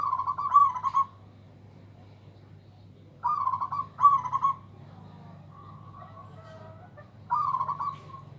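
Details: Local zebra dove with a big, loud voice said to leave rivals helpless: three bursts of mellow, rolling cooed notes, each under a second and trilled, spaced several seconds apart, with a faint low hum beneath.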